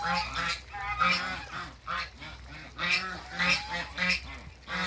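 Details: African geese pair at a waterbird farm calling continuously with overlapping harsh, rasping honks rich in high overtones, a rapid uneven series throughout.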